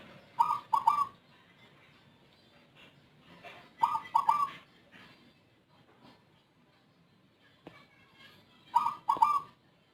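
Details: Zebra dove with an unusual voice, often calling before dawn. Three short cooing bursts, each two or three quick mellow notes, come roughly every four seconds, with faint rustling and clicks between them.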